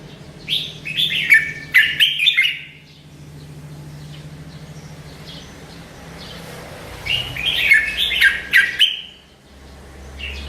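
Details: Melodious song of a bulbul, locally Merbah Lekir: two lively bursts of rapid, bubbling, whistled notes several seconds apart, separated by a quiet stretch with faint low hum.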